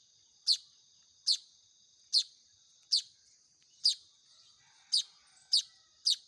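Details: Young Baya weavers calling for food during hand-feeding: eight crisp, high, down-slurred chirps spaced under a second apart, set against a continuous high ringing tone.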